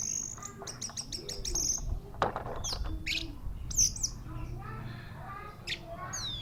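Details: Orange-headed thrush, a caged bird being readied for a song contest, singing a varied phrase of high whistles, rapid chattering notes and sharp squeaks with short pauses, over a low background rumble.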